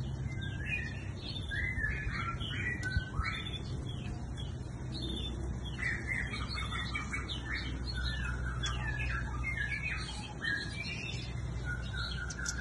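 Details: A bird sings lively scattered chirps and short twittering bursts throughout, high and bright, against low background rumble.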